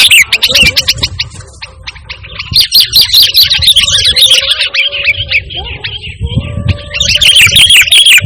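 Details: Energetic sooty-headed bulbul song, kept free of mimicked phrases and played to call and tutor caged birds. Dense, fast, sharp chirps pour out in busy runs, with a brief quieter gap midway and a low rumble beneath.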